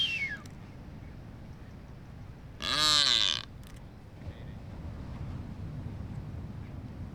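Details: Blue-footed booby during courtship display on North Seymour Island, Galápagos, Ecuador, among several nesting pairs: a single loud, harsh, honking call under a second long, with steady wind rumble throughout.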